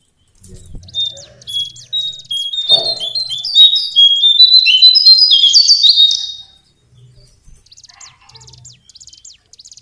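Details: Lesser shortwing (cingcoang coklat) singing a rapid, jumbled high warble of short sweeping notes that builds into a dense bright burst for several seconds, then trails off into faint repeated high notes. A soft low thump opens the recording.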